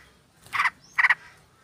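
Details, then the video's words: Sooty-headed bulbul flock call, with a female calling the male, used to attract birds. Two quick harsh stuttered notes follow each other within half a second, and a faint thin whistle sounds between them. "Pancingan trucuk ombyokan dan obat mlas bunyi biar GACOR"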